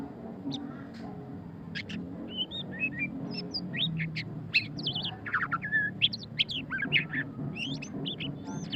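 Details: Murai batu pastol, the white-rumped shama, in ngeriwik song: a dense run of sharp chirps, downward sweeps and looping whistled notes, getting busier toward the end, with low background rumble.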